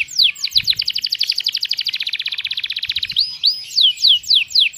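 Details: Canary in the ornate cengkok mewah song style, a long tutor recording for training other birds: a rapid, even trill of about four notes per second that speeds into a buzzy roll, then breaks into loud, sweeping slurred whistles.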